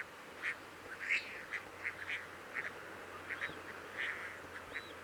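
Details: Crested duck at the Coyle River estuary in Santa Cruz, Patagonian Argentina, recorded on 18 June for monitoring; brief harsh quacks repeat about every half second, mixed with a few rising, whistled notes.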